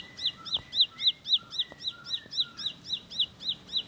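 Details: Bar-winged prinia (ciblek sawah or ciblek pari) in a steady rapid rolling song: bright, high down-slurred chips about four per second, accompanied by soft lower whistled notes and light ticking.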